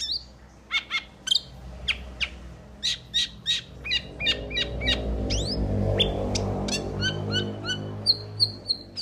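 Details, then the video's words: Metallic starling delivering a rapid stream of thin, sharp chirps and descending squeaks, roughly three per second, partly over a rushing low background noise, ending with short repeated high whistled notes. "Metallic Starling Aplonis Sounds ! Metallic Starling Aplonis Song Metallic Starling Aplonis Call !"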